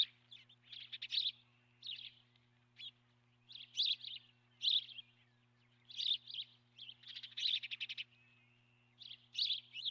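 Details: Osprey at the nest recorded by a nest camera on 12 March 2016, morning; repeated bursts of rapid, high, rasping chirps, each volley about half a second long, coming steadily with short gaps.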